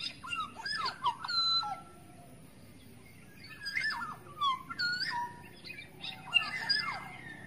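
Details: Wild forest black-naped oriole, used as a lure call: clear whistled notes sliding downward, given in short phrases with pauses between, mixed with a few harsher high notes over a steady low background hum.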